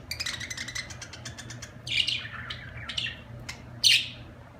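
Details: Budgerigar opening with a fast trill of clicking ticks, then drawn-out scratchy squawks and a loud harsh burst near the end, over a steady low hum.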